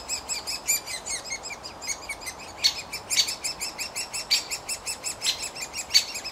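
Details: Woodpeckers at a nest hole give a steady, high-pitched chatter of rapid chirps, several voices overlapping, with sharper, louder notes breaking through every second or so.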